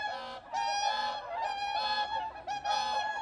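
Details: Bean goose in Korea giving loud, nasal, strongly harmonic honks. Each drawn-out honk lasts under a second, with roughly one per second and short gaps between them.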